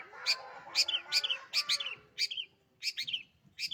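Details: Pet long-tailed shrike singing in a lively style: loud, rapid, harsh two-part notes, some with a buzzy rasp, repeated several times a second and pausing briefly before resuming.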